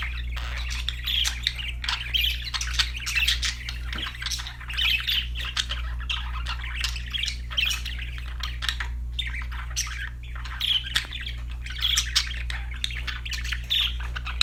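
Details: Budgies happily singing and chirping: an unbroken stream of rapid squeaky warbles and clicks lasting the whole stretch, with a low humming drone in the background.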